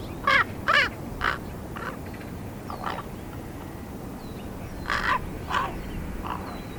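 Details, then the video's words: Young raven, 13 and a half weeks old, learning to use its voice box: hoarse, rasping croaks that vary in tone, in loose bursts separated by pauses of a few seconds, over a faint steady hiss. "Baby raven makes adorable noises"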